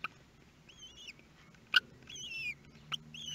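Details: At their first meal on 23 May 2022 in Théding, France, common kestrel nestlings give several thin, high, slightly wavering squeals, broken by two loud sharp clicks, over a low steady hum.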